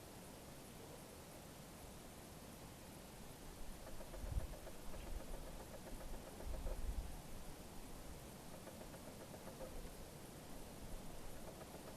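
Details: Low engine-like rumble and broadband background noise throughout, with no clear animal calls heard.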